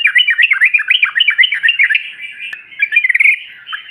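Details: Yellow-vented bulbuls in trucukan style, used as a lure to make other birds call: continuous, fast, looping, warbled chatter that wavers up and down without pause, finishing in a quick trill.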